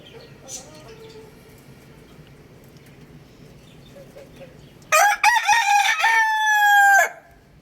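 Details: Rooster crowing: after a quiet stretch of faint background, one loud harmonic crow bursts in with a stuttering start and then holds a long, steady, slightly falling note for about two seconds before stopping abruptly.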